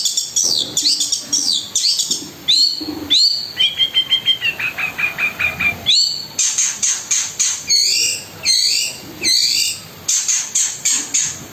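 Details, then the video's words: Vigorous Long-tailed shrike song packed with filler phrases and fast 'tembakan' shots: sharp chirps and downward-sweeping high notes, a quick trill of about a dozen even notes near the middle, then bouncing repeated slurred phrases. "BURUNG CENDET GACOR MEWAH ISIAN KASARAN DAN TEMBAKAN ROLL SPEED"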